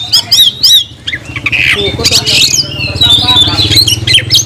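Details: Kacer, the oriental magpie-robin, singing gacor nagen: three sharp repeated chevron notes open, then scratchy squawks and mixed whistles, over a steady low engine-like hum.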